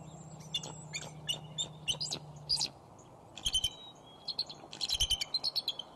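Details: Bald eagle pair at Decorah resting together on a branch by the nest in late afternoon sunlight on 5 January 2011, calling to each other. Bursts of sharp, high chittering notes in quick succession, with a low steady hum at first.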